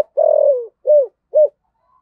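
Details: Spotted dove calling to the flock as a lure bird; one long wavering low coo followed by two shorter rounded coos.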